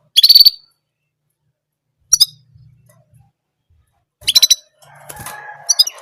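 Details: Orange German canary voicing its single song sound as quick pulsed high trills, three bursts a couple of seconds apart, followed by a rough, buzzy noise and a final short trill.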